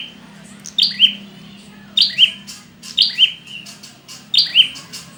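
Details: Prinia calls meant to coax reluctant birds into singing: bright high chirped phrases of two or three notes, roughly once a second, over a low steady hum.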